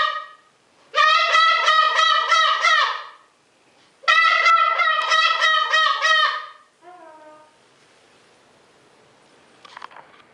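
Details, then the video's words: Pet greater sulphur-crested cockatoo with its owner: two long bouts of loud, nasal, pulsing honks, each about two and a half seconds, a quick rattle of pulses within each, followed by a short falling note and quiet. "Big Bird, greater sulfur crested cockatoo"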